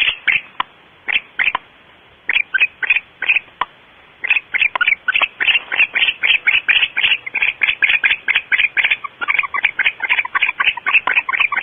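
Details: Before dawn, 5:45 am, at a barn owl nest on Starr Ranch: scattered dry clicks that build into a rapid, insistent run of raspy chitters near four per second.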